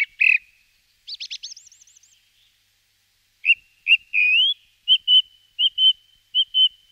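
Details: Song thrush singing: clear whistled notes, a quick rising trill of looped notes, then a slurred upward whistle and short crisp notes repeated several times in a row, with silent gaps between phrases.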